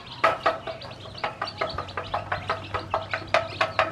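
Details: Newly hatched chicks with the hen that hatched them, learning to eat: loud, high piping peeps repeated roughly every quarter second in a steady, insistent rhythm, with a soft low hum behind.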